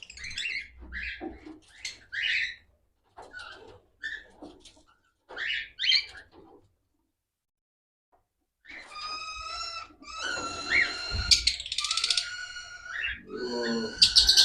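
Cockatiels give short, harsh chirps, then a run of bright, harmonic whistled calls.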